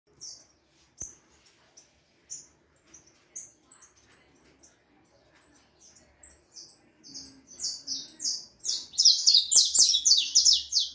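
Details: Young harlequin saffron finch, four and a half months old, singing: faint high chips at first, building after eight seconds into a loud run of rapid, repeated buzzy descending notes, about three per second.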